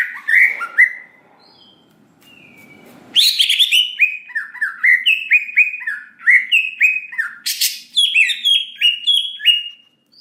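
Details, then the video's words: Greater green leafbird singing a provocative lure song: a few whistled notes, a quiet pause, then a loud rapid run of slurred, chattering whistles rising and falling, with scratchy bursts mixed in. "Pancingan Cucak Ijo Bahan Agar Cepat Emosi Respon Bunyi Gacor Nembak Isian"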